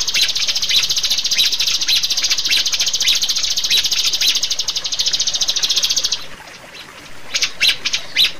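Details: A Rio-rio bird, sound used as a lure and training call for captive birds, gives a high, buzzy rapid-fire trill running steadily about six seconds, then a few short, sharp separate notes after a brief pause.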